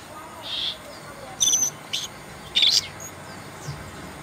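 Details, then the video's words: An Asian brown flycatcher (Muscicapa dauurica) gives four or five thin, very high, short notes at irregular intervals over a few seconds, against a quiet background. "asian brown flycatcher sound"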